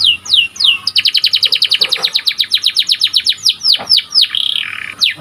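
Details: White canary chirping: a fast run of about twenty clipped notes, then descending whistled sweeps and a short buzzy trill, loud and clear.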